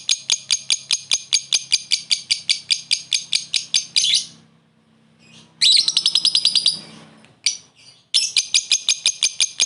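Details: Lovebird calling a rival: long fast runs of sharp high chirps, a harsh chattering burst midway, then another quick series, with a faint low hum underneath.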